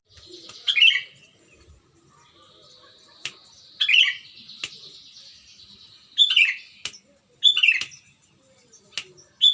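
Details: Sooty-headed bulbul from Pengalengan near Bandung, West Java, used as a lure for bulbuls that will not sing, delivering clear bubbling whistled phrases repeated every couple of seconds, with a thin high trill and occasional clicks between them.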